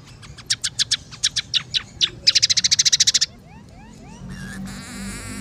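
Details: A scaly-breasted munia sings briskly: a string of separated high clicks, a dense fast trill of bright chips, then faint rising whistles and a hissing, rustling burst at the close.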